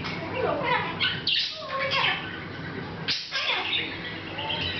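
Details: Hahn's macaw kept as a pet, chatting softly without noticing the camera in August 2012; mumbling, speech-like gurgles mixed with sharp rasping squawks and brief whistled tones, over steady room hum.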